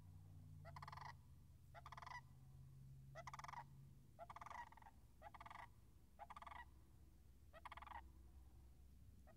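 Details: Wild sandhill cranes calling near a marsh with frozen puddles on March 26, 2019: a series of loud, rolling, rattled bugling calls, about eight bursts over nine seconds, each lasting roughly half a second, over low rumbling background noise.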